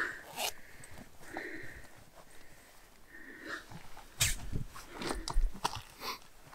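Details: Black grouse at the spring lek on a playing ground deep in a wet swamp, recorded from a photo hide: sharp, sneeze-like hissing bursts recur irregularly, with softer drawn-out tonal notes and low rustling between them.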